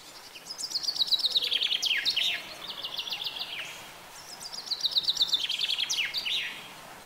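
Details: Common chaffinch delivering two songs a few seconds apart. Each is a rapid cascade of repeated notes that descends and ends in a flourish, heard against faint steady background hiss.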